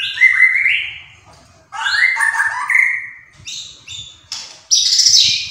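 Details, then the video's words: White-rumped shama in energetic gacor song: loud fluting whistles, slurred and stepped, in three or four bursts separated by short gaps, ending in a harsh high buzzy phrase. "MURAI BATU GACOR"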